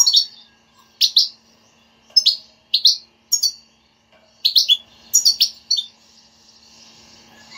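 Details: European goldfinch batbata, a motivating chatter for a goldfinch that will not sing; crisp twittered note groups with clear pauses, ending in a busier run of chirps.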